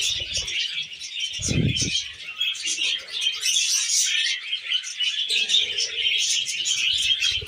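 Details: Pet budgies feeding on wheat germ keep up a busy stream of scratchy, high chirps and warbles, overlapping without pause; a short low knock sounds near one and a half seconds.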